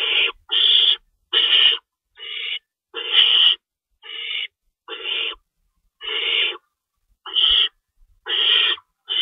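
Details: Owl calls recorded at a nest during nighttime feeding, 3:53 AM, March 25, 2012. About thirteen breathy, noisy shrieks, some short and softer, repeat irregularly roughly every three-quarters of a second.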